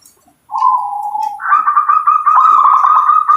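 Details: Single phrase from a local zebra dove, loud and close: a smooth, level cooing note for about a second, then a step up into a stuttering, rolling trill that carries on to the end.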